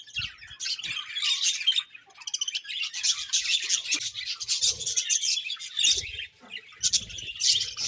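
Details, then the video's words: A flock of budgies chatters continuously, scratchy high warbling mixed with quick clicking trills and occasional faint thuds. "Budgies Chirping Sounds"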